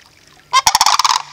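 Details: Sandhill crane at Reifel Bird Sanctuary giving a short, loud, rolling rattle: a rough opening note followed by rapid throaty pulses for about two thirds of a second.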